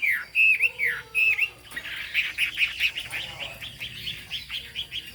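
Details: Chinese hwamei in 'cao cầu' song: three loud, clear whistled phrases open the passage, followed by a softer, quick string of repeated chirping notes.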